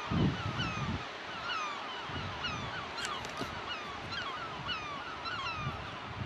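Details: Gulls scream over a wide beach below white cliffs in France in 2007, giving harsh, nasal cries that overlap almost without pause, over a low steady rumble of waves landing on the beach and wind.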